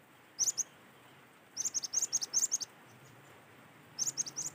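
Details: Cinereous tit song recorded in nature, used as a lure to make other tits sing: clear, high, bright notes in quick repeated phrases of two to three, given in three bursts, with a faint low hum behind.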